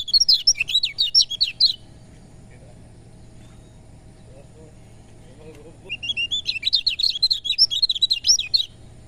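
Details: Two bouts of hurried, high-pitched twittering from a lemon-bellied white-eye, split by about four seconds of quiet with faint low sounds. The song is meant to spur unwilling birds into singing.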